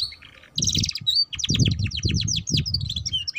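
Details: Canary chatter for teaching young canaries the ngeriwik style: a soft whistle, a buzzy rattling burst, then a rapid run of descending whistled strokes and twittering notes, with a low rumble throughout.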